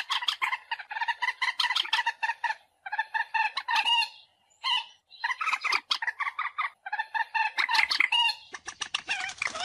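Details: Lure call of the common moorhen for bird hunting: long stretches of rapid, croaking cackles in repeated bursts, a few drawn-out nasal notes between, and a scratchy rustle at the end.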